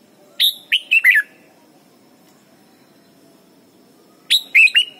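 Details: Red-whiskered bulbul training song for young birds: a loud phrase of four to five ringing whistled notes dropping in pitch, then a similar phrase after three seconds, with quiet background hum.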